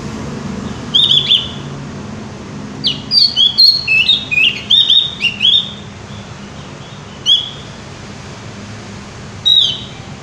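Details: Javan white-eye singing in lively form: scattered high whistled notes, then a fast tumbling burst of sliding chirps, more single notes spaced several seconds apart, with low constant background noise.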